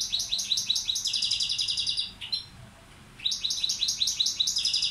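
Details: Balkan goldfinch used as a tutor, singing dense high jingling phrases with a short buzzy run, falling silent for about a second, then resuming the twitter.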